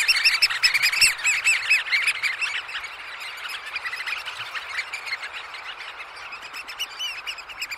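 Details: Eurasian oystercatchers at roost, Snettisham, early morning, close-up. A loud burst of overlapping piercing peeps opens the clip, then the flock's piping chorus settles to a softer, steady chatter.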